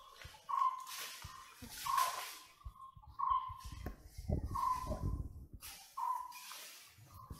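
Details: A White-bellied woodpecker calls in a regular series of short level notes roughly every 1.4 seconds, mixed with bursts of hissy noise and low thumps.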